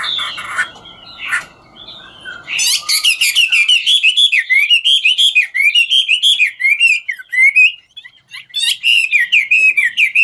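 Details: Chinese hwamei, 'ngũ trường' style, singing while it dances; after soft scratchy notes, a loud fast series of rippling, slurred whistles with sharp clicks, pausing briefly near eight seconds.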